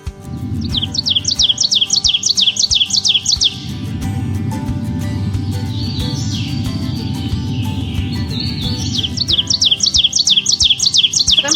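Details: Ovenbird in thick woods on 18 May 2020, singing its 'teacher-teacher' song: two bursts of loud, ringing phrases at about three per second that grow louder, over a steady low hum.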